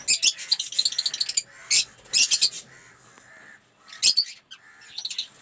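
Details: Dense, high-pitched chattering from a collection of aviary lovebirds, rapid strings of shrill notes with brief louder squawks rising above.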